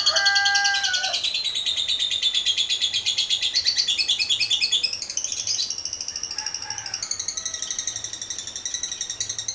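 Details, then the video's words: Lovebird, a caged bird used as a training lure, in a long ngekek: a dense, rapid, high chattering trill with varied pulsing notes and faint lower whistles near the start. "TERAPI AMPUH LOVEBIRD NGEKEK PANJANG"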